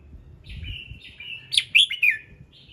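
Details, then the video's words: Varied morning song of a red-whiskered bulbul, used to trigger other birds to sing: a soft warbled lead-in, then a rapid run of bright, fluttering whistled notes rising and falling, over a faint low rumble. "Chào Mào Hót Sáng Nhiều Âm Hay | KÍCH CHIM HÓT THEO LIỀN"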